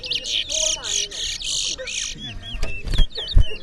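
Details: Towa towa seed finches in a singing competition in Berbice: buzzy, tinny warbled phrases fill the first two seconds, then sliding whistles among murmuring voices and thumps.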